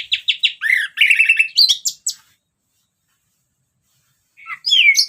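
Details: ['Orange-headed thrush singing in the ngeplong style, meant as a lure to set other birds singing. Quick high varied phrases: clear whistles, rapid chattering trills and downslurred notes for two seconds, then silence, then another bright whistled burst.']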